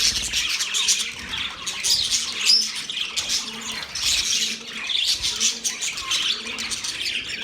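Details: Budgies chirping: busy, scratchy twittering with quick squawks layered over one another. Loudness rises and falls in waves through the whole stretch, above a faint low drone.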